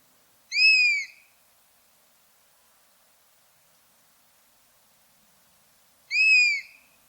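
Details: Buzzard calling in its natural habitat: two loud, clear, downslurred mewing cries, each about half a second long with bright overtones, spaced roughly five seconds apart over otherwise silent background.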